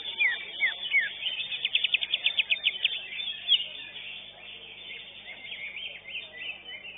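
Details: Greater green leafbird, first-place winner of a bird singing contest at a contest arena, sings rapid high chirps, then a fast run of repeated sharp notes, fading into a dense background of other birds singing.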